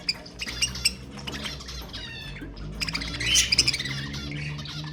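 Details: Budgerigars singing to encourage breeding: continuous scratchy warble with rippling trills and bright squeaks, building to a louder burst of rapid chatter near the end, over a steady low hum.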